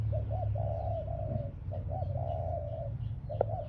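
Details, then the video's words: Spotted dove kept as a ground decoy, cooing in two phrases, each a couple of short rounded notes and then a long, drawn-out mellow coo, over a steady low hum with a sharp click near the end. "Cu gáy mồi đất"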